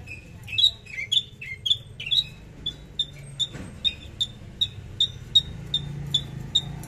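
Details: Javan bush lark in trotol delivery: a string of sharp, bright chirped notes, first varied and slurred, then settling into evenly spaced single chips about every half second, with a soft low background rumble.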